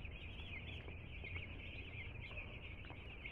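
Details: Newly delivered two-day-old chicks keep calling in a dense chorus of high, slightly wavering peeps, with steady low background noise throughout.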